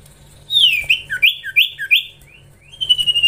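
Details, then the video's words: Common iora (cipoh), in the context of training young ioras: a run of clear whistled notes sliding downward, about five in quick succession, then a pause and a steady high whistle with faint rapid notes. "Gacorrr ngelatih cipow cipoh anakan"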